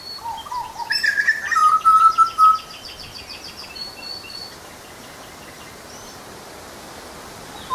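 Grey butcherbird giving clear, piping whistled notes mixed with a quick, high chattering run over about three seconds, then quiet outdoor hiss.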